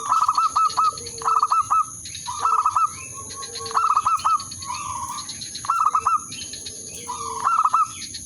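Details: Zebra dove used to lure a rival and stir it into mating song, delivering six phrases of staccato cooing notes, most followed by a soft trilling purr, roughly every 1.3 seconds. A constant high electronic tone runs beneath.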